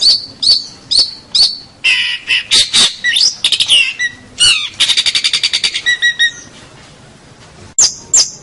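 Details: Long-tailed shrike (cendet) song used as a master recording for training songbirds: varied loud harsh squawks and chirps, a fast rattling series of repeated notes in the middle, then a pause and two final sharp notes.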